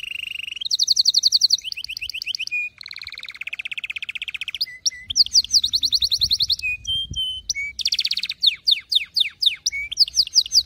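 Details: Canary song used for training young canaries to sing: loud, rapid trilled phrases of repeated notes, switching every second or so between high fast rolls, lower buzzy trills and sweeping notes, with no other sounds.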